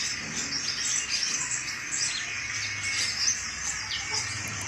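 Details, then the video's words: Sunbird singing actively, recorded from the bird itself and used to lure other sunbirds or as a master song for training; dense, rapid high chirps and twittering run continuously with no pauses. "BURUNG KOLIBRI GACOR!!"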